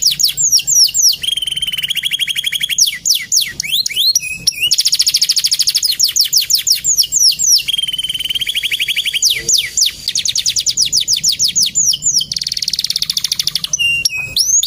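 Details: Male canary singing, kept as a songbird in Indonesia and used as a training master recording; fast trills of rapid repeated whistled notes, with rising sweeps and buzzy rolls switching every few seconds.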